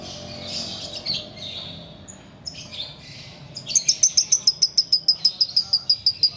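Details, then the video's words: Sooty-headed bulbul singing in the ngekek style: after a few softer scattered notes, a fast run of sharp, high ticking notes starts midway, about three to four per second, steady and chattering to the end. "Ngekek Biang Kerok"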